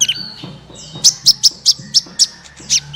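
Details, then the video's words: Sunbird song meant to prompt other birds to sing: a steady series of bright, high chirps repeated about every quarter second, over a faint lower background hum. "suara burung Kolibri ampuh untuk pancingan, suara burung Kolibri gacoorr 2 menit langsung ikut gacor"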